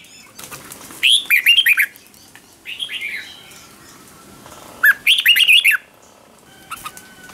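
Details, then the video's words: Red-whiskered bulbul in morning training, ché-style song meant to provoke a wild-caught bird: quick bubbly warbled phrases in two loud bursts, softer whistles between them, and faint rustling sounds. "Luyện chào mào hót sáng, QUÁ HAY - CHÉ KÍCH BỔI CĂNG ĐÉT"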